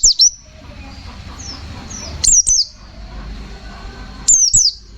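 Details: White-eye (pleci) in fighter song style called 'ngalas nembak': paired high, downward-slurred whistles repeated about every two seconds over a quiet background hiss.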